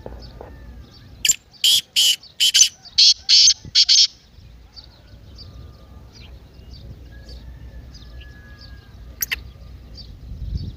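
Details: Partridge calling to rouse a silent partridge: a rapid run of about nine harsh, grating notes over three seconds, then quiet background chirps and one sharp isolated note later.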